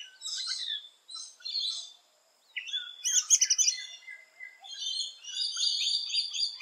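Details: Rainbow lorikeets busy at their nest holes in Australia: rapid grating screeches, a loud harsh burst midway, then sustained rasping, whistled squeals.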